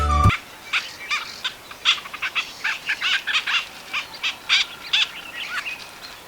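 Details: Little cormorants in Sri Lanka give a rapid series of short, harsh, chattering notes, about two or three a second, like several birds calling together, over a faint background hiss.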